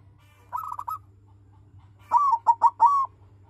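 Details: Silver captive-bred zebra dove with a deep voice, used to set rival doves singing: a softer trilled phrase, a short pause, then four strong rolling coos in even rhythm, over a faint hum.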